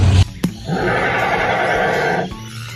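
An Australian bustard gives a single harsh, roaring call lasting about a second and a half, with a short thump before it and background music.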